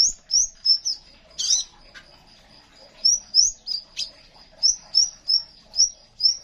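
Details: ['Crimson sunbird, a strongly singing bird recorded as a song tutor for other birds. Rapid, rising high chirps in quick series, one harsher burst, and a continuous shrill background whine.']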